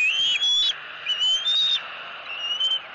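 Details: Young eagle begging its mother for food at a Southwest Florida nest, April 2018. A few high, thin whistled squeals that slide upward, interrupted by short rustling bursts.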